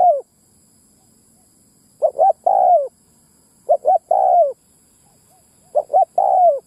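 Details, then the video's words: Soft, hollow coo phrases of a Spotted dove used as a ground lure for wild males and females, each two short notes then a long falling coo, repeated at intervals of under two seconds. "Tiếng mồi đất rút bổi cu bổi mái"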